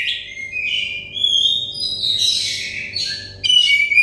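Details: Kacer, or Oriental magpie-robin, song used as therapy for a stressed bird: continuous bright whistled phrases, some long and rising, others in rapid buzzy trills, with a faint steady hum underneath.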